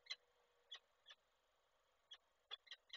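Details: Peregrine falcon in Koszalin, Poland, 29 November 2023, male bringing prey to the female, who does not take it. Scattered rasping notes, first isolated, then a quick burst of four near the end, over a steady faint hiss.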